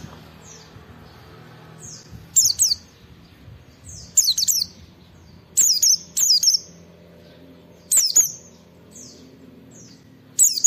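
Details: Oriental white-eye (pleci) in captivity, singing to provoke other white-eyes into song: short high bursts of sharp, falling whistled notes every one to two seconds, separated by quiet gaps with faint low background hum.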